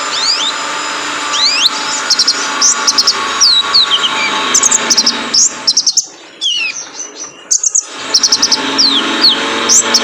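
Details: Male kolibri ninja (Van Hasselt's sunbird), a training recording meant to make caged birds sing. Rapid thin, high chirps and short upward-flicking notes come in quick bursts over a constant high hiss, with a brief pause midway.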